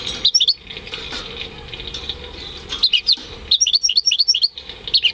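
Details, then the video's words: Home-bred European goldfinch × canary hybrid singing in May 2015: bright, high twittering notes in short bursts, scattered at first, then a denser run of rapid chirps toward the end, over a steady low background hum. "Saka Melezi Ötüşü"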